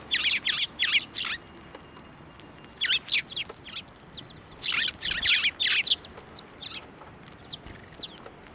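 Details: Sparrows at a Tenmangu shrine flying to a person's hand for feed, 15 March 2024; clustered groups of four or five high chirps, a quiet gap, then another cluster, with faint thin notes after.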